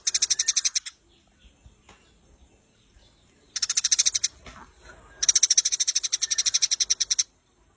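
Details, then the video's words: Masteran training recording of a Eurasian tree sparrow: three bursts of quick, regular, sharp chirps, the last and longest nearly two seconds, with brief silent gaps between them and a faint steady high hiss throughout. "masteran handal burung gereja"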